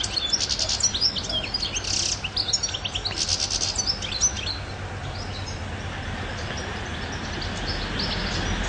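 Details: European goldfinch gives a lively run of high twittering and buzzy trilled phrases for about four seconds, then falls silent as a steady rushing background noise remains.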